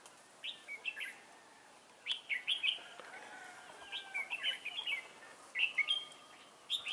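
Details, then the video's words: Novice decoy red-whiskered bulbul singing in a trap to attract wild bulbuls, recorded 11 December 2016; repeated short, lively warbled phrases of two to four notes, coming every second or so. "Bẫy chào mào Mồi tập sự ra trận"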